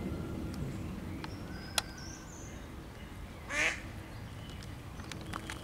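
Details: Female Mallard at a deep tree-hollow nest in Łazienki Królewskie park, 4 May, calling to ducklings trapped inside; a single short, hoarse quack, with faint high small-bird whistles and a low background rumble.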